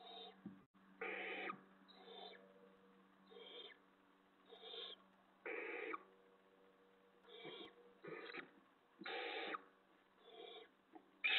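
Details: Barn owls at the nest before dawn, 5:01 AM on 6 April 2017, while an owlet eats a delivered vole backwards; loud rasping hiss-screeches in quick bursts, about eight in eleven seconds, with a low steady hum beneath.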